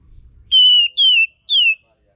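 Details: Lure song of an Olive-winged Bulbul for tutoring songbirds: three bright, falling whistled phrases in a row, the first longest, after a moment of faint low rumble.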